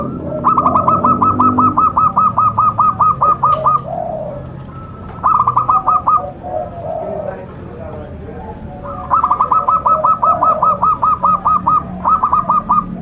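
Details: Local zebra dove in full song with a big voice: long rapid runs of short staccato coos, a pause with faint murmuring and a brief voice, then another long run of clipped notes.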